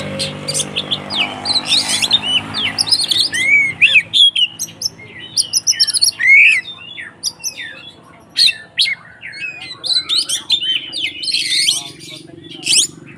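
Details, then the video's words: Agitated white-rumped shama giving a fighting song to provoke other shamas, with harsh raspy bursts, bouncing whistled slurs and sharp chips in irregular bursts, over a low steady hum. "SUARA BURUNG Kacer konslet TARUNG untuk PANCINGAN KACER agar ikut KONSLET"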